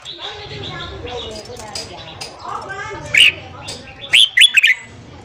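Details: Red-whiskered bulbul singing in the morning, a recording for training newly caught birds. A steady background of mixed chatter runs underneath, then loud, sharp whistled phrases burst out near the end.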